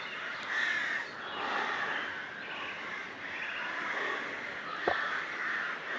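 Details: Crows at the castle-palace ruins and granary in Bychawa, Poland, give harsh, hoarse caws in a ragged series, several birds calling over one another.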